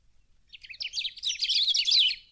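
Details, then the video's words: Birds of the Brazilian Cerrado singing: a quick burst of high, bright chirps and twitters that builds in loudness and density over about two seconds, with notes stacked closely together. "CANTO de AVES do CERRADO BRASILEIRO"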